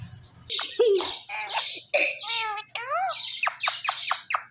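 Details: Talking parrot calling "Mithu": a run of harsh, voice-like syllables with stacked harmonics, some sliding up and down, then a quick series of short sharp squawks near the end.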